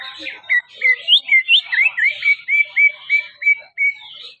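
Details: Greater green leafbird warming up before going on stage at a song contest: about a dozen clear whistled notes, each a quick upslur settling onto a steady tone, repeated roughly three times a second after some brief twittering.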